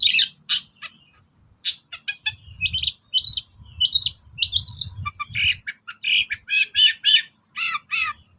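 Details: Long-tailed shrike in full song, used as a lure to get silent shrikes singing: a rapid, varied jumble of harsh chirps, scratchy notes and high squeaks with changing pitch, a faint steady high tone and low rumbling behind.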